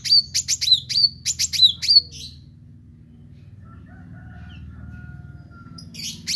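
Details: Meranti bird singing actively: a rapid run of sharp, high chirps with hooked, downward-bending notes for about two seconds, then near silence with a faint thin whistle, before the chirping resumes at the end.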